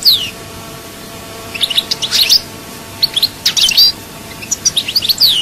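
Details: European goldfinch in Souk Ahras, Algeria, chaayba song: a descending whistle, then clusters of high chirps and twitters coming in short groups about every second.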